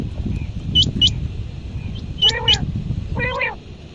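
Quail giving a pair of sharp, high upslurred chirps, then two short bursts of rich, nasal stacked notes, over a steady low rumble.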